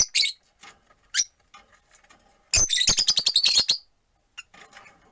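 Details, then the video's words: Rosy-faced lovebirds, four caged pets near a window, one perched; scattered sharp chirps lead into a fast rattling run of about ten shrill notes, then quieter calls. "Lovebird Chirping Sounds"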